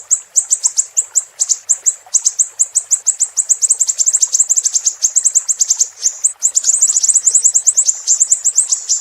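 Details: Siri-siri singing on a tutor recording meant for teaching other songbirds: long stretches of fast, high-pitched chirping notes in dense trilled bursts with brief gaps, fairly even loudness, no other clear sounds.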